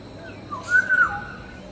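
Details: Wild black-naped oriole (kepodang) giving a single melodious song phrase: a clear, fluty whistle that slides slightly upward and then levels off, lasting under a second, against a quiet hissing background.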